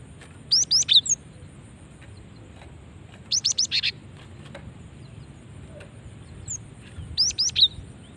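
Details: Female cinereous tit calling to lure other birds: three bursts of rapid, high, sharp chirps, each a quick run of four or five notes, spaced about three seconds apart over faint steady background hiss.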